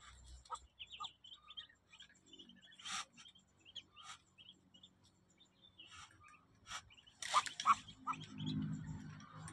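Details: Muscovy duck eggs hatching in an incubator, chicks giving short, high, thin peeps in scattered runs, some rising, with occasional scraping and knocking and a brief louder rustle near the end.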